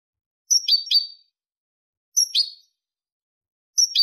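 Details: European goldfinch performing the clean 'limpio' song, 2023: three short, high, chattering twitter phrases spaced roughly one and a half seconds apart, with no other sounds.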